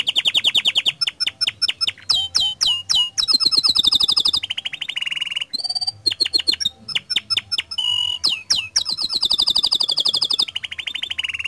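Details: Canary song used to trigger other canaries to sing, with long varied phrases of fast trills, deep swooping notes, brief whistles and rolling high tours, loud and continuous.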